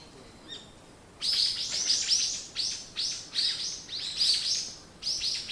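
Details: Morning bird twittering: after a brief quiet start, a lively unbroken series of loud, high, clipped chirps repeated several times a second.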